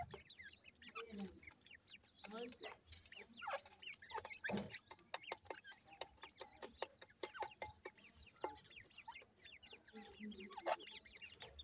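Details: A grey francolin mother and chicks foraging: high chirps scattered throughout, soft low notes here and there, and many rapid sharp clicks, probably pecking or handling noise.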